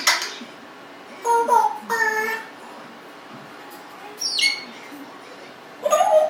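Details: Congo African grey parrot, a 1.5-year-old pet fond of talking and burping, utters a few voiced speech-like phrases and a brief high squawk, with quiet gaps between.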